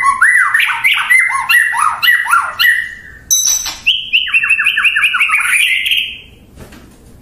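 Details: Murai batu pouring out fast, repeated whistled phrases that leap up and fall, then a rising sequence of sharp notes tapering into quiet.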